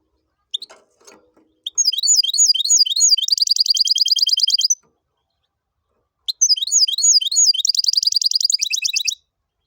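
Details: Goldfinch crossed with canary, sung in the "tibetano" and "tuitero" manner: a few soft clicks, then two long phrases of high twisting twitters that each break into a fast, rattling trill.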